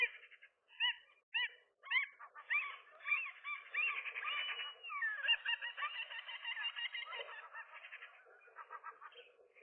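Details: Rooftop nest-holding gull pair fighting an intruder one morning; several short, spaced yelps open the clip, followed by a long, continuous run of crowded squealing calls that fades toward the end.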